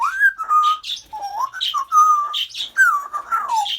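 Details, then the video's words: African grey parrot whistling continuously: a string of level and gently falling whistled notes broken by short harsh squawky syllables, loud and close indoors. "African grey talking, laughing and burping"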